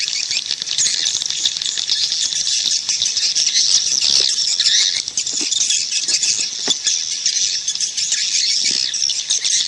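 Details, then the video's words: Wild swiftlet calls: a steady, crowded chorus of high, raspy twittering from numerous birds, with scattered faint clicks underneath and a constant hissing density throughout. "Suara Panggil Burung Walet Suara Asli dari Alam"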